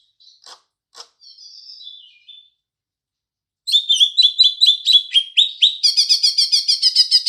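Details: Green leafbird with house sparrow imitation: a few sharp clicks and a drawn-out descending note, silence, then a long run of quick repeated chirps growing into a steady rapid trill-like series.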